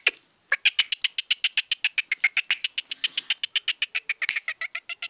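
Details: Young male Sindhi black francolin in an excited mood: a fast, steady series of short, harsh clicking notes, roughly four per second, running for about five seconds with little pause.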